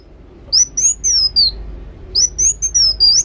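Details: Actively singing sunbird: two high, thin whistled phrases, each a rapid string of four or five slurred notes rising and falling, separated by a brief pause, with a faint low background hum.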